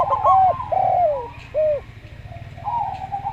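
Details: Slow-voiced local zebra dove: a few rounded, bowed coo notes, one drawn out and falling, followed by a softer, level coo, with a low mechanical hum beneath.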